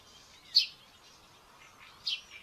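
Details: Common buzzard chick at a nest cam in Tiszalök, Hungary, on May 5, 2024, acting aggressively during breakfast feeding; two short, sharp high-pitched calls about one and a half seconds apart over a faint thin background tone.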